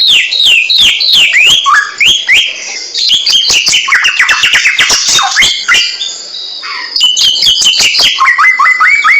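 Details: Samyong bird singing continuously, in a recording meant for tutoring other songbirds. Quick falling whistles come in series, then a dense, buzzy, chattering stretch, then rising whistled phrases again.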